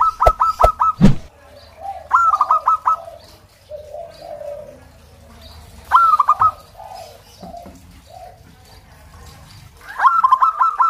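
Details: Local zebra doves singing, a recording played to coax other zebra doves into singing. Short rapid cooing phrases with a rolling, stuttered quality, given in bursts about every four seconds. Soft lower cooing fills the gaps, and a sharp knock sounds at the start.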